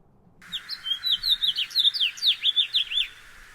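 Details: House finch song, which females also sing around courtship time, sometimes with extra syllables at the start; a quick, jumbled three-second warble of bright, high, slurred notes, many dropping in pitch, against a quiet background.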